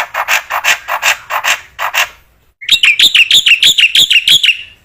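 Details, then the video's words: Vigorous black-winged myna song for training other mynas: a series of harsh, rasping broadband notes, a brief silence, then a quick train of bright, high, sharply repeated chirps. "MASTERAN BURUNG JALAK PUTIH GACOR"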